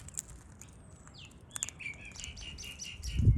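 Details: Australian king parrot pairs feeding in the wild in Australia; a falling whistle followed by a run of short, high, chirping calls, with wing flaps and a loud low thump at the end.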